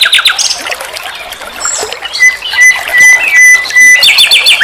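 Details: Nightingale song in a master recording for tutoring songbirds: varied phrases of rapid high chips and buzzy notes, then a run of clear, steady whistled notes repeated about twice a second, with dense background noise.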